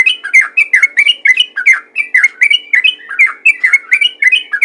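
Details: Yellow-vented bulbul calling to attract other bulbuls: a quick, continuous series of bubbly, slurred whistled notes, each dipping and rising, repeated roughly three times a second over a faint steady hum.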